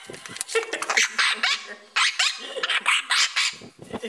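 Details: Young Congo and Timneh African grey parrots, fledglings flying inside a bird shop near Dallas, Texas, give loud, rasping squawks in short bursts about every half second, separated by brief quieter gaps.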